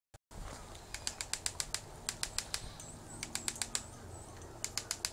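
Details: Japanese pygmy woodpecker drumming at Tataranuma Park, Tatebayashi, Gunma, Japan, on 16 February 2016: sharp, dry, clicky taps in short irregular bursts of three to six strikes, separated by brief pauses, over a faint low background rumble.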